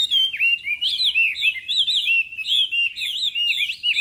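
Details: Chinese hwamei in a singing contest, morning voice-training song: rich, loud whistled phrases swooping up and down, with quick slurred notes and warbles running continuously without pause.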